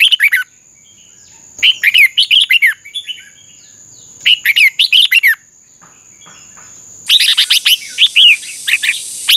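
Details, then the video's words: Red-whiskered bulbul contest song: clusters of lively whistled notes repeated about every two seconds, ending with a denser warbling passage over a hissy background. "Chào mào hót đấu Chào mào luyện giọng hót hay ép bổi sổ bọng và căng lửa"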